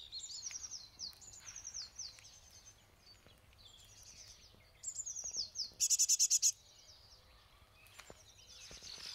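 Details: Young great tit calling: thin, high descending notes in quick runs, repeated in bursts, with a brief buzzy rapid pulsed burst midway and faint background noise.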